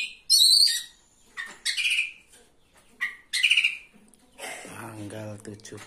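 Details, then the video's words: Oriental magpie-robin at a bird singing contest, a third-place winner singing vigorously: loud bursts of high, whistled and scratchy chattering phrases with short pauses between, followed at the end by a man speaking. "KACER GACOR JUARA 3"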